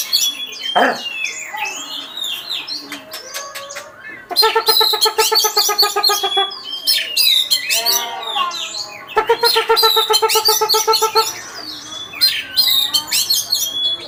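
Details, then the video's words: Oriental magpie-robin, a first-place contest winner, singing a loud varied song: sweeping whistles, rapid rattling trills of stacked notes, buzzy phrases and sharp chirps in dense continuous bursts. "Mantap Kicauannya..!!/Juara 1 Burung Kacer"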